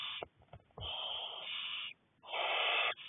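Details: Barn owl chicks, six owlets, begging while a parent feeds them on 2nd May 2020; two drawn-out harsh hissing screeches, roughly one second each, separated by a short pause, with faint scuffling.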